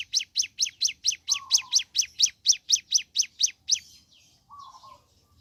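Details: High, clipped chips from a ciblek gunung, sung in the morning, fall in pitch and come in a rapid regular series. The song ends, leaving soft lower warbles.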